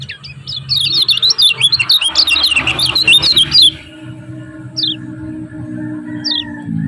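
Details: Lombok kecial kuning (lemon-bellied white-eye) in a 'ciak ciak' training master for captive birds: three seconds of fast, high, twittering chatter with quick rising and falling notes, then a pause and two isolated sharp downward chips over low background hum.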